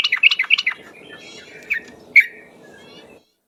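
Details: Yellow-vented bulbul, a trucuk in the ropel song style, used as a lure: a quick run of bubbly, bouncing notes in the first second, followed by two isolated sharp chirps over a low background hum.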